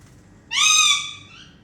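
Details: Pet Indian ringneck parakeets making happy sounds while flying around during playtime; one loud, harsh, drawn-out squawk rich in overtones that swells and fades over about a second, in an otherwise quiet room.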